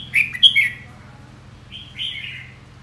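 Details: A red-whiskered bulbul gives two quick bright whistled notes, pauses, then adds a longer slurred note that drops in pitch, with a soft low hum behind.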